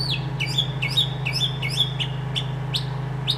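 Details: Northern mockingbird singing in a backyard, recorded with a handheld camcorder from about 80-100 feet away: a sharp sweeping chirp repeated about six times in quick succession, then a few higher upward-flicked notes, over a steady low hum.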